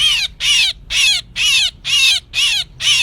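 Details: Calling myna from a 2024 trapping lure: seven loud, hoarse screeches, each with a downward slide, repeated every half second or so in an even rhythm.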